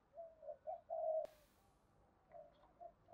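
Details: Spotted dove giving 'thúc gù' cooing and song used to train decoy birds: soft, low coos in a short series, a sharp click midway, then quieter coos trailing off.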